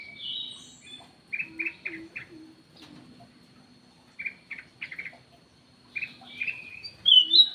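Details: Ruby-throated bulbul lure call of short chirping notes in small groups of three or four, spaced by quiet pauses, ending in a loud high whistle.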